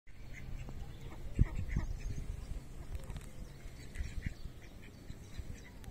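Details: Female and male Mallards on a mill pond at Rolleville, France, give soft, scattered nasal quacks and low murmurs, a few at a time, over a steady low rumble.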